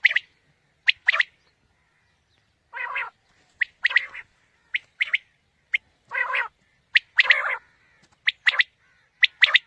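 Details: Quail calling used as a lure for morning hunting: quick clipped triple-note phrases mixed with a few longer, rougher buzzy notes, repeating at irregular intervals over nearly ten seconds.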